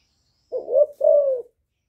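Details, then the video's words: Young spotted dove giving a two-part hollow coo, a short rising note followed by a longer, smooth, slightly falling coo, in an otherwise quiet setting. "Cu gáy tơ gáy giọng hạp bổi GÁY GỌI + KÈM GÙ BO"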